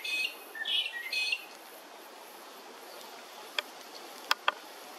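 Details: Red-browed finches at Hervey Bay, Queensland: a cluster of short, bright upslurred chirps in the opening second, followed by quiet background and three sharp clicks near the end.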